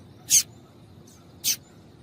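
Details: Calling female yellow-bellied seedeater, meant to stir up males kept for song tournaments: two thin, piercing high chirps about a second apart, with quiet background hiss.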